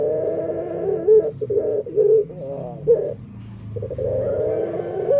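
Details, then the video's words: Indoor dove with an unusual singing voice, possibly defective: loud, dense cooing with quick wavering notes in rapid succession, broken by short pauses, under a low background rumble. "Suara Unik Burung Puter // Unique Sound Singing of dove"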